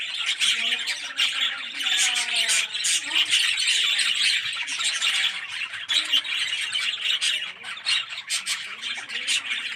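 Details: Yellow budgerigars with red eyes in an aviary colony keep up a long, crowded chorus of high chattering, squawks and quick twitters, with softer lower warbles woven underneath.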